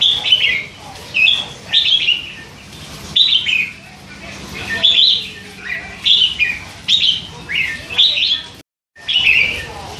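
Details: Three-month-old hand-raised red-whiskered bulbul giving a running chatter: about a dozen short, bubbly whistled phrases in quick, irregular succession, some paired, over a faint low hum, with one brief dropout near the end.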